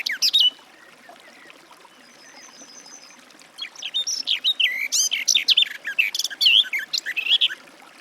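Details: Garden warbler (Sylvia borin): a short burst of notes, a quiet pause with a thin high whistle, then a long, hurried, mellow warble of varied twisting phrases for the last four seconds.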